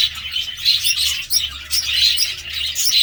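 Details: Busy budgerigar warble: rapid high chirps and trills pile up continuously, and a faint low hum runs in the background.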